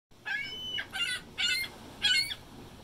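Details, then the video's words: A territorial male gull guarding his mate, who sits as if to lay an egg, gives a courtship/territorial 'choking' call: four loud, harsh, nasal huoh yelps about every half second, head down then stretching up, over faint hiss. "Seagull uses full body for mating call"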